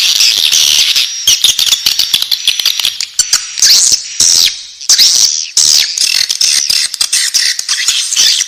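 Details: Young swiftlets in a nest give a high, harsh continuous chattering with squeaky rising notes and dry clicks, briefly dropping out twice.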